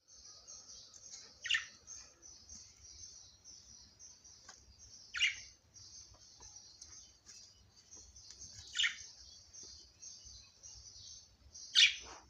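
Budgerigars keep up a steady, high twittering warble, broken by sharper chirps every few seconds.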